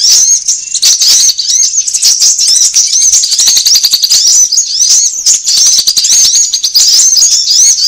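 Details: Piercing sunbird chirps for luring birds: quick thin notes and tiny looping sweeps packed tightly together, steady and loud, peppered with rattling clicks.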